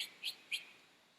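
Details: A cuckoo, a parasitic breeder advertising its presence across the landscape, gives three quick, pure, single-frequency whistled up-slurs about a quarter-second apart against a quiet background. Such calls carry up to a kilometre.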